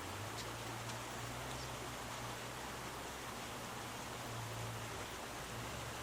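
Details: Dense hiss like rain or rushing water covers the whole recording, with a low steady hum and no animal calls.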